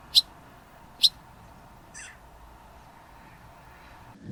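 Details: A juvenile Barn Swallow perched on a gate railing at Elmley, Isle of Sheppey, Kent, UK, on 28 August 2025, gives two sharp, high chirps about a second apart, then a softer, buzzier note, over a low steady hum.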